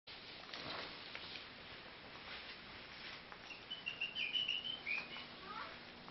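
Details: Crested myna inside a house, giving a quick series of high, squeaky chirps and twittering notes in the second half, after a stretch of soft rustling and tapping.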